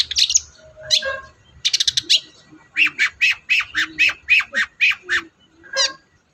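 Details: Long-tailed shrike singing as a lure for silent shrikes: scratchy calls, then a run of about a dozen rasping, evenly spaced harsh notes, ending in a few squeaks.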